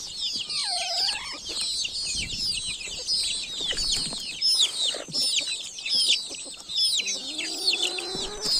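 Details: A crowd of village chicks cheeping nonstop, high thin notes sliding downward in quick succession, joined early by a lower falling wavering call and later by a low rising note, with faint knocks beneath.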